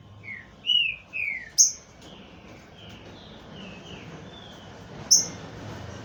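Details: Green-winged saltator from a Brazilian breeding aviary: a few loud descending whistles, then a softer string of falling slurred notes, with two sharp high snaps.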